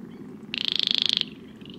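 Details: Baillon's crake, a nocturnal wetland species calling on late spring and summer nights in southern UK, gives a dry, frog-like rattle: about twenty high clicking pulses in under a second, over a faint low hum.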